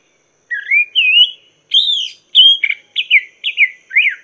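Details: Master song of a Chinese hwamei for teaching cage birds: clear rising and undulating whistles, then a string of short, sharply falling notes at a steady pace, loud and clean against a quiet background.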